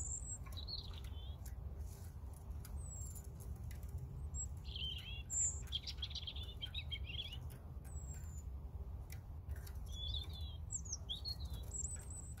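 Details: European robin singing: a string of thin, high, varied warbling phrases with sharp whistled notes and quick trills, separated by short pauses, over a steady low rumble of background noise.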